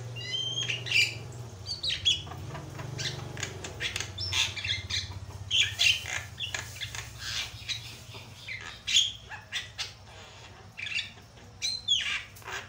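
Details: Javan myna in a loud, varied training lure song: scattered harsh squawks and short whistles repeated through the recording, with a strong low hum and background noise throughout.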